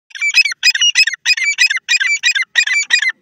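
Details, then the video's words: A grey francolin (dakhni teetar) gives loud, harsh, grating notes in a quick run of about three per second, with no other sounds behind them. "dakhni teeter,teeter ki awaz"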